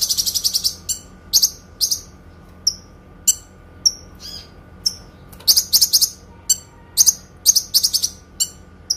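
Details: Long, clear-voiced Kinoi song for masteran training of pet birds. It opens with a rapid high trill, continues with spaced single whistled and buzzy notes, then ends in bursts of fast bright chirps.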